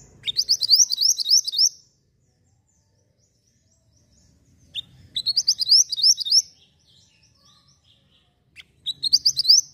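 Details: Lively Javan white-eye in full song, used for tutoring other birds: three fast bursts of bright, high, upslurred chirps, each lasting over a second, separated by near silence.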